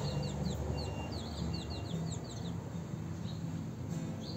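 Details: House sparrows at mating time call in a lively series of high, clipped descending chirps, busiest in the first half, over a low droning background.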